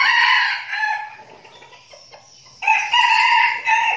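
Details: Flock of caged red junglefowl decoy birds in Binh Phuoc, Vietnam, training before going to the forest. Two hoarse crows, each a harsh, rasping phrase about a second long, separated by a quiet pause, with one rooster answering the other.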